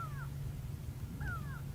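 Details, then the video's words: A grey go-away-bird at sunset in the African bush gives two drawn-out, nasal, downslurred calls about a second apart, sounding like "go away", over a steady low rumble. "That's the sound of a gray go away bird. And it's called a go away bird because it sounds like it's saying go away, go away."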